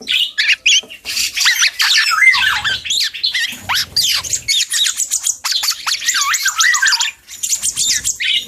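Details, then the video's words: A young black-and-yellow oriole, a juvenile learning to sing, gives dense rambling chatter: harsh squawks mixed with quick whistled slurs and rising and falling notes, nearly continuous with brief pauses. "KEPODANG HUTANG muda||belajar ngoceh"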